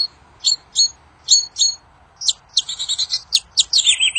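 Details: In the wild, a kincir angin bird sings, a song said to prompt other birds to answer: spaced high double chirps, then a rapid run of sharp notes ending in a descending buzzy trill.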